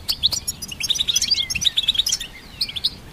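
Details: Goldfinch hybrid delivering a quick series of bright repeated chirps, a few short whistled slurs and a trilled run, sung at a fast pace.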